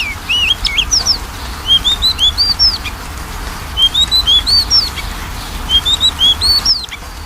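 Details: Magpie-robin song as a lure for a bird that rarely sings: three similar phrases of rising, clear whistled notes, each a quick string of about five to six syllables, separated by short pauses.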